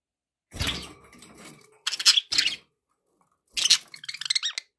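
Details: Pet budgerigars with harsh scratchy bursts and chirps, a rattling low thump early on, and a rapid series of rising trilled notes at the end.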